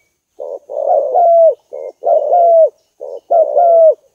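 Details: Spotted dove lure call: three low, hoarse coos, each opening with a short note and then sliding into a longer rolling croo that falls slightly, repeated about every 1.4 seconds with quiet gaps between.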